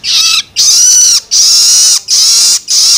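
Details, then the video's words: Young Long-tailed Shrike begging calls, used to stimulate adult shrikes: harsh, raspy, four long wheezy bursts in three seconds with brief gaps between. "Suara Loloan Anakan Cendet"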